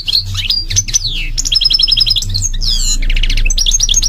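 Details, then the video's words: European goldfinch singing energetically, a fast tumbling medley of high tinkling twitters, buzzy trills and sharp sweeping notes that runs on without pause, over a constant low background hum. "The beautiful goldfinch is at the top of his game - singing"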